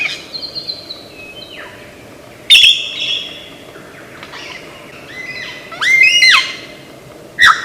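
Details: Australian forest lyrebird in mimicry: varied phrases of falling whistles, harsh bursts, and clusters of bright stepped notes separated by short pauses.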